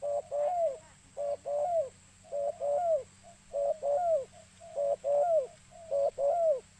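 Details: Spotted dove call played to lure birds: six evenly spaced phrases, each a short coo followed by a longer mellow coo bending downward, repeated roughly every second over a thin constant hum.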